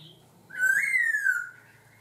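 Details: Laughingthrush song phrase with changing voice: one clear whistled note, swelling then slowly falling, held for about a second against a faint low hum.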